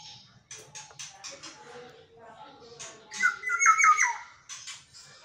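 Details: A pet black-naped oriole, whose whistling wakes its owner every dawn, gives a brief, loud, nasal squawking phrase with a slurred whistled edge, after a run of clicks and rustling in a small room.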